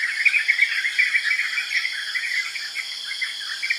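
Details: Rapid, bubbly chirps of yellow-vented bulbul tumbling in uneven bursts, strongest early and fading, set against a constant high insect drone.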